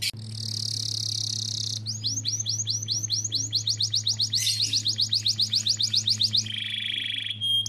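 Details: Canary lure song used to prompt other birds to sing: a buzzy high trill opens, followed by rapid chains of repeated upswept whistled notes, a denser rattling trill, and a final lower buzzing trill, over a steady electrical hum.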